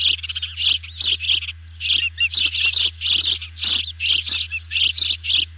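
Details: Ospreys at a nest during an evening feeding on 18 June 2020, with a large meal brought in: rapid runs of shrill, squeaky chirps in clustered bursts with short gaps, over a constant low hum.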